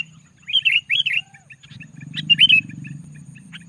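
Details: Sooty-headed bulbul in loud, dense song meant to lure and provoke other bulbuls: short bubbly chirped phrases, some rising and falling, in bursts with pauses, over a low steady hum.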